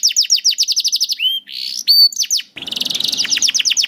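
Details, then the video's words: Canary song for coaching young canaries: a quick run of repeated chirps, a few clear whistles, then dense rapid trilling over a rougher, noisier background. "MASTERAN KENARI AMPUH UNTUK KENARI PAUD DAN SUSAH BUNYI"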